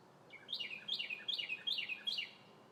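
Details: Spring-day song of a red bird perched in sunlit trees: a run of five loud, ringing whistles, each dropping sharply in pitch, delivered in even rhythm against soft background hiss.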